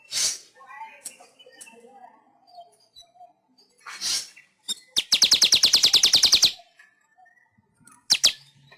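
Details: Weaver song used as a master recording for training pet weavers, from Indonesia: scattered soft chirps, then a fast run of about fifteen sharp, high, evenly spaced notes lasting over a second, followed by a few isolated bright calls.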